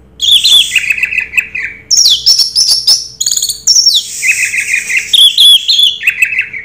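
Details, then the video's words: Orange-headed thrush in full 'raja teler' song: a continuous, varied stream of loud whistles, buzzy trills and descending slurred phrases. The notes switch pitch often, with hardly any pause. "Suara Burung Raja Teler Anis Merah"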